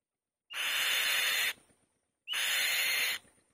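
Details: Female white-tailed kite calling loudly on the nest: two harsh, rasping screams, each about a second long, broad and noisy, roughly two seconds apart.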